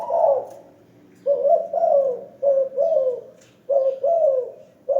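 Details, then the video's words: Spotted dove kept in a hanging cage and calling often gives loud, soft-edged coos, mostly paired notes with a falling tail, with each phrase repeated after short pauses of about a second. The background is quiet. "Terkukur MP3 sangkar layang Rajin bunyi"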